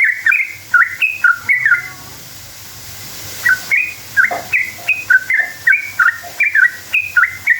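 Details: A sooty-headed bulbul's long rolling song, used as a lure for answering bulbuls: a quick run of whistled notes, a quiet gap of nearly two seconds, then more liquid, up-and-down whistles.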